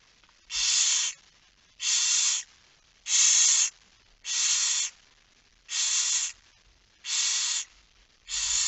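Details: Barn owl calling at the nest during a night feeding, 10 September 2019: a very regular train of seven loud, snoring hisses, roughly one every 1.2 seconds.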